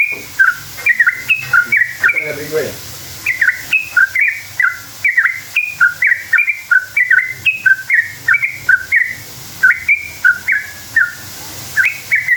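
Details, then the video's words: Extended sooty-headed bulbul song used as a lure for other bulbuls: continuous fast, bubbly whistled notes alternating between high and low pitches, chattering almost without pause. "Trucukan gacor ropel panjang buat PANCINGAN trucuk agar bunyi jadikan burung trucuk NYAUT EMOSI"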